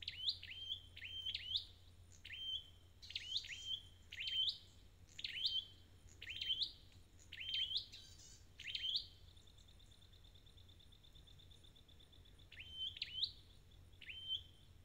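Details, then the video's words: Red-headed bird singing while being nursed back to condition: bright high phrases of an upward sweep and a level whistle, repeated roughly once a second, with a long thin trill near the middle and a faint low hum throughout. "Chim Sâu Đầu Đỏ"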